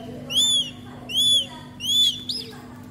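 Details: Captive baby northern goshawk in Vietnam calling while being fed, a young bird received in June 2019; three clear, high, arched whistled squeals about 0.7 seconds apart, over a faint constant hum.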